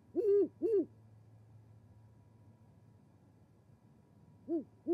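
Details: Great horned owl pair feeding and mating at a Charlo, Montana osprey nest, January 20, 2020: two loud, rounded hoots, a quiet gap of several seconds, then two more hoots.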